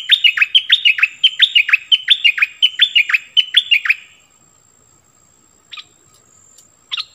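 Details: Bulbul used as a decoy for wild birds, 16 March 2021: a rhythmic string of about twelve loud, swooping chirp notes over four seconds, followed by silence and two brief chirps.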